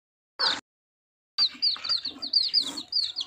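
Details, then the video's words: A newborn chick, in village life, gives high, thin peeps, one short burst and then a quick run of about eight sharp cheeps in under two seconds. "funny chick Sounds"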